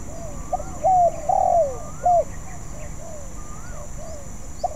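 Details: Spotted dove practising a song it has not yet mastered: a quick run of short coos and a longer falling coo, with other birds calling faintly and higher behind it.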